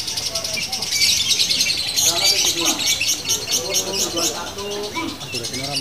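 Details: Female lovebird kept as a fighter, singing in a long continuous run of rapid, rattling high trills pulsing several times a second, with quieter low chirps beneath.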